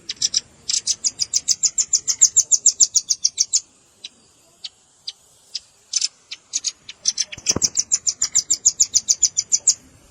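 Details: Velvet-fronted nuthatch calls, combined with juvenile calls, made for luring birds: two long bursts of quick, high, dry ticks, separated by a gap of sparse single chips.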